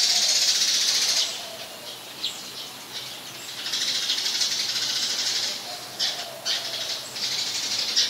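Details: Eurasian tree sparrows (Passer montanus) in Ubon Ratchathani, Thailand, on 19 March 2021 chatter in a dense run of harsh, high chirps, with a loud burst at the start and quick repeated notes throughout.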